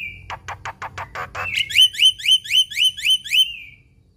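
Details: Vigorous Black-winged myna song, the 'gacor full isian' kind stuffed with imitated phrases: a brief whistle, a series of short harsh clicking notes, then about eight bright upslurred whistled chirps at a steady rhythm.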